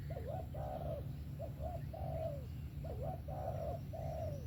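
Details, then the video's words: Spotted dove's sấm thổ song, 'về tàng kèm 123': two rounds of a short double hoot leading into long, slightly wavering falling coos, set against a persistent low hum. "SẤM THỔ TỐT TIẾNG VỀ TÀNG KÈM 123 QUÁ ĐÃ"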